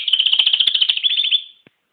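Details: Canary delivering a fast, high, even trill of rapidly repeated notes lasting about one and a half seconds before fading out, with no other sounds.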